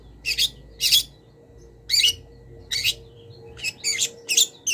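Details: Long-tailed shrike song used as a master for cage birds, full of mimicked wild-bird phrases: loud harsh rasping notes spaced about a second apart, each a short buzzy burst, with faint background hum.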